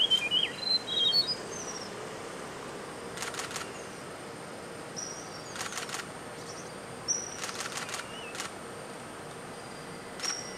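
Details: Red-breasted flycatcher wintering at Shimen Reservoir, Taiwan, 16 January 2018, giving short, dry, clicking rattles in a few spaced bursts; thin, high chirps from other small birds and a steady background hiss are also heard.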